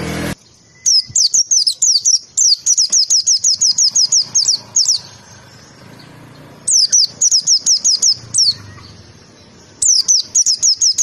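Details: Pleci (white-eye) tembakan song for training: long runs of piercing, high downslurred chirps fired in quick succession, broken by quieter gaps with low background rumble, then resuming twice more.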